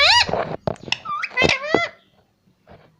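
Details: Talking pet parrot, words given as mummy and papa, makes a burst of mixed squeaky and voice-like syllables with sliding pitch over about two seconds, then near silence with a faint late note.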